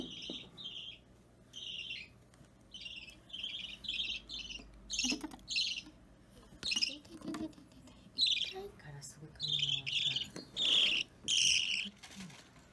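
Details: Hand-fed budgerigar chick around three weeks old begging during feeding, filmed 30 March 2017: rapid series of scratchy, buzzy chirps in clustered bursts, growing louder and denser, with soft handling noises and faint background hum.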